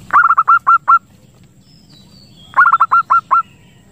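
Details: Zebra dove calling as a lure and to stimulate breeding: two bursts of six or seven fast, upswept cooing notes separated by a pause, with a faint high chirp from another bird between them.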